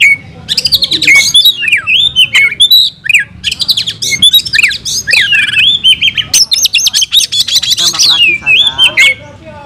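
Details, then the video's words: A kacer, or oriental magpie-robin, sings in fighting mode. Harsh squawky notes mix with bright falling whistles, followed by a fast, crowded burst of high twitters and a few sweet slurred calls at the end. "Kacer gacor tarung bongkar isian"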